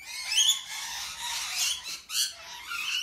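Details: A large flock of rainbow lorikeets visiting each morning in Brisbane, Queensland, Australia, in March raises a dense, nonstop wall of harsh, high screeches and chattering squawks, many birds calling over one another like an alarm clock.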